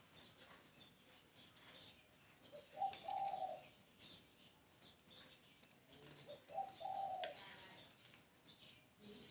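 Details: Spotted dove giving two low cooing phrases about four seconds apart, each a brief lead note then a drawn-out, slightly rough coo, over busy high-pitched chirps and twitters of other birds.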